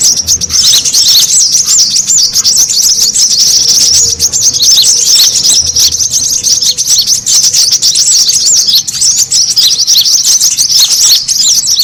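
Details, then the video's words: Lure recording of noisy brown-throated sunbirds, also used to soothe stressed birds: an unbroken wall of shrill, overlapping twitters and chirps stays high and loud from start to finish. "SUARA PIKAT KORLAP RIBUT AMPUH BURUNG SEKEBON AUTO NGUMPUL"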